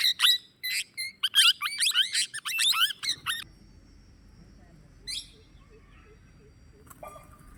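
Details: Plum-headed parakeet uttering a quick burst of shrill, wavering squawks for about three seconds, then near silence with a single later squeak and a faint chirp.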